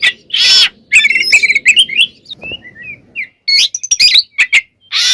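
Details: Singing white-rumped shama used to provoke rival shamas: a loud rasping burst, then fast chattering whistled notes, a few soft slurred whistles after a pause, and more harsh bursts at the end.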